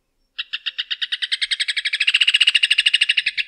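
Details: Rufous hornero (João de Barro) song: clear, evenly spaced sharp notes accelerating into a dense, loud chattering trill that keeps going to the end, with no other sounds.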